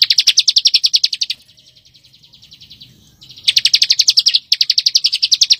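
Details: Dense ngebren song of a bar-winged prinia for coaching white-rumped shamas: a fast chirping run, a quieter buzzy trill lasting two seconds, then two more sharp runs of rapid notes.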